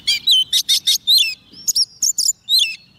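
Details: Oriental magpie-robin song used to call wild birds: quick, loud whistled phrases mixed with harsh buzzy bursts and chips, about five notes per second at the start.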